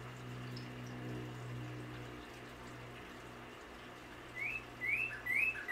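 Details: A male Northern cardinal singing outside in a backyard gives three clear, rising whistled notes, about half a second apart near the end, after a stretch of low mechanical hum.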